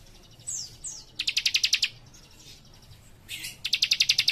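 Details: Cikrak, a young leaf warbler, in lively rapid-fire song: two high falling whistles precede a fast series of about ten crisp ticking notes, then more slurred whistles and a second matching burst.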